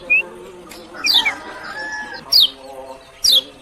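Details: Lemon-bellied white-eye from Lombok giving a few sharp, high, downward-sweeping chirps spaced about a second apart, with one short thin whistle at the start and faint lower tonal sounds underneath.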